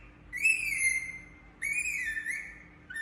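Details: Indian ringneck parakeet giving drawn-out whistled chirps with bright overtones. Each note is held for about a second and dips slightly in pitch, with a short gap between notes and a third chirp starting at the end.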